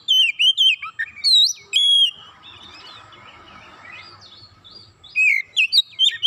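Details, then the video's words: Oriental magpie-robin provoked into song: loud whistled and upswept phrases at the start, a quieter stretch of soft warbling in the middle, then renewed sharp rapid notes. "Kacer sekali pancing langsung emosi bongkar isian"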